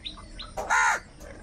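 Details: Crow calling over food amid a quarrel, one short, harsh, nasal caw lasting about a third of a second, preceded by faint thin chirps of small birds.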